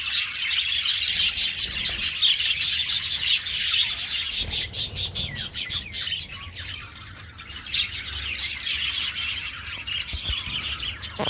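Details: Aviary colony of budgerigars: fast, uneven bursts of chirps and squawks, roughly two or three notes a second, within busy background twittering and occasional low thumps.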